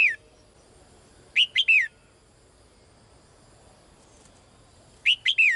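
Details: Female bird calling to the male every day: bright three-note phrases of sweeping high chirps, rising then falling, repeated about every three and a half seconds in quiet surroundings.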